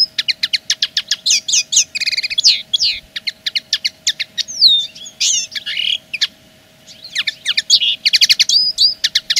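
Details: Common linnet singing as a territorial claim: quick bursts of dry twittering clicks and short trills alternate with twangy whistled slurs, with a pause of a second or so midway and a steady low hum underneath.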